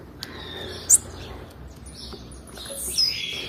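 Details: High female blue-black grassquit chirp, used to provoke males, rings out once near the start; softer high notes and light background hiss follow.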